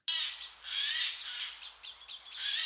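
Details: A common blackbird gives a harsh, scolding alarm chatter, high and rasping, in continuous bursts: a call expressing worry or aggression, a contact call saying "I'm here, stay off my territory".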